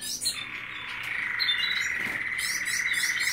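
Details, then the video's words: White male canary in breeding condition singing while courting a receptive female; a steady high trilled tone holds through the phrase, with quick, bright, rolling warbles repeated rapidly above it. "Canario Cantando Blanco En Celo"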